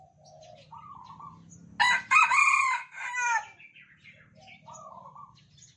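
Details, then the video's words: Caged red junglefowl of Sumatran origin, tame, answering one another's crowing. A single short, raucous crow breaks into rough syllables over a faint low hum, with soft tonal notes from another bird before and after. "Ayam Hutan Merah kokok bersahut-sahutan"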